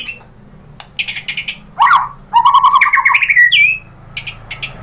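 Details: White-rumped shama singing a lure song meant to make other birds answer: bursts of sliding whistles, a wavering phrase around the middle and a rising whistled run, then short high notes after a quiet gap.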